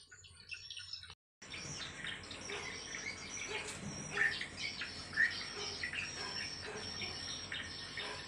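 A dense chatter of swiftlets: many high, buzzy chirps and twitters overlapping continuously, with a brief cut in the sound near the start.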